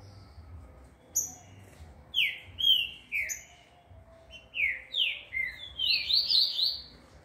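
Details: Green-winged saltator in training at a breeder, singing a series of loud, slurred whistled phrases that rise and fall, grouped in short bursts, with fainter high chips and a low background hum.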